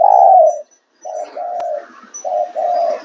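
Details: Spotted dove cooing: a long, low, slightly falling coo, a short pause, then a series of low, even coo notes in pairs, with a faint sharp click midway.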